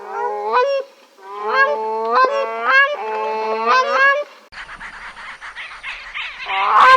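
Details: Grey crowned cranes alongside their chicks: loud, goose-like trumpeting honks in three bursts, each a run of rising, strongly harmonic notes, followed by a rougher, noisy stretch.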